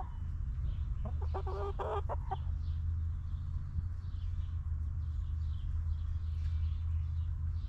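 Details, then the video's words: Hens in a backyard coop let out a loud, dense burst of overlapping clucks lasting about a second, followed by a steady low hum and faint chirping from small wild birds. "Rooster Crowing! Hens Clucking!"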